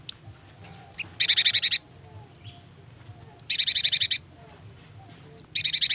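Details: Young, vocal great tit on a lure track for kept birds: thin sharp chips, each followed by a half-second buzzy rattle of rapid pulses, repeated about every two seconds against a constant high tone.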